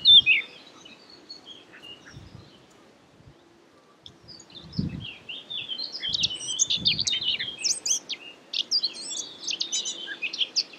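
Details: A Eurasian blackcap at Marais d'Harchies, Belgium, in May 2017 gives a fast, scratchy run of high chirps and twittering notes that builds in the second half, with a few low thumps and quiet outdoor background.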